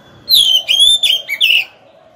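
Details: Oriental magpie-robin kept as a decoy bird, singing to lure rivals into combat; a short phrase of slurred, whistled notes, some dropping in pitch, delivered in quick succession.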